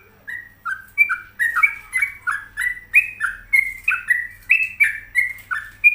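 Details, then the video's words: Home-kept sooty-headed bulbul (trucuk) singing vigorously: after a brief pause, a brisk repeated series of loud whistled two-pitch notes, rising and dropping, delivered at a steady quick tempo. "Pokoknya Cari Trucuk yang Gacor"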